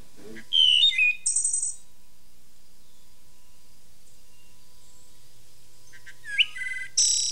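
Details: Wood thrush (Hylocichla mustelina) song in a nesting forest in Lake County, northeast Ohio, summer 1999: two flute-like phrases of clear slurred whistles ending in a high buzzy trill, about six seconds apart, in quiet.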